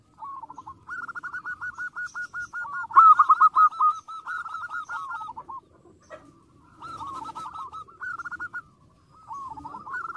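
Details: Zebra dove singing to provoke rival birds: long rolling trills of quick, beaded coos. A louder second bird seems to overlap for a moment, and the song breaks into several bursts separated by short gaps.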